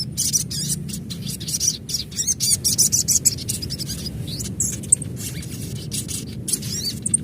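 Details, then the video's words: Adult crimson sunbird in a natural setting giving dense, rapid high-pitched chirps and twitters in quick succession, near continuous chatter over low background hum. "Panggilan SOGON Dewasa Asli"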